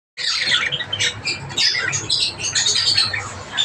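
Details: Several Java sparrows, called Java finches, giving dense overlapping chirps and squeaky chatter, high and bright, almost continuous across the clip, with a faint low hum underneath.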